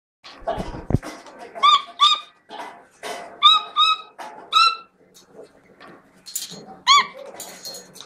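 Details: Chestnut-fronted macaw giving short, harmonic-rich squawks, several rising slightly at the end, in small pairs across the recording; a dull thump near the start.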